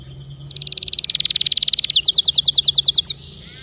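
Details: Canary song opens after a short pause with a long, fast trill, then switches to a slightly slower, brighter series of repeated notes before stopping.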